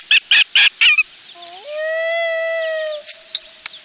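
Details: Adult female loon wailing as she slides off the nest in a hurry, possibly because of a nearby intruder, with her chick, July 16, 2024; a few quick notes, then a long, pure, steady wail rising into a sustained tone.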